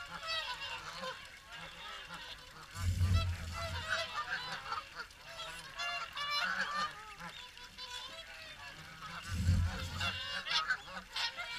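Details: A dense chorus of swans at the morning feed at Caerlaverock, honking and bugling continuously with many overlapping voices, broken by two heavy low-pitched thuds of wind or microphone bumps.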